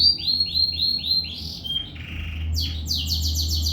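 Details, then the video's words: A canary in full song gives a row of falling whistled notes, then a burst of buzzy and harsh phrases, ending in fast high rattling chirps, over a steady low hum. "Kenari gacor"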